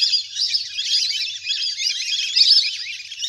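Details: A large flock of wild ducks playing on the water keeps up a dense, unbroken chatter of high, thin whistles and chirps overlapping constantly; used as a lure call to bring ducks down.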